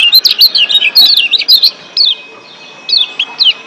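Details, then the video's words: Lombok white-eye (yellow kecial) excited in breeding condition, a wild bird: rapid high twittering of sweet slurred whistled notes, then a short pause and a few more swooping notes. "Ciak Joss Kecial Kuning GEBOKAN LIAR Ampuh Naikin BIRAHI Bikin AKTIF BUNYI"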